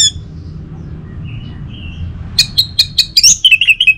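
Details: Orange-headed thrush song, morning stimulation for other birds: a brief loud whistle, soft quiet whistles, then a fast series of evenly repeated sharp notes ending in lower warbled whistles.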